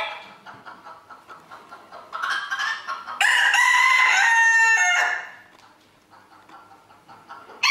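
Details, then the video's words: A crowing contest for roosters in Villers-la-Ville, 2022. Softer distant crows come first, then one bird lets out a loud, drawn-out, slightly tonal crow lasting about two seconds. Quieter background crowing continues afterward. "Chants du coq 2022"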